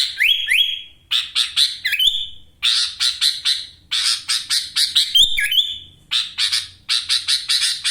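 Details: Energetic caged sooty-headed bulbul from Wonosalam, East Java, delivering a penetrating song full of ngekek fill-ins: rapid harsh chattering bursts mixed with clear whistled slides, almost continuous with short breaks.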